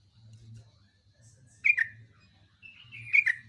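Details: Yellow-vented bulbul delivering gacor song: two short liquid whistled phrases, each falling slightly, about one and a half seconds apart, over quiet background with a faint low hum.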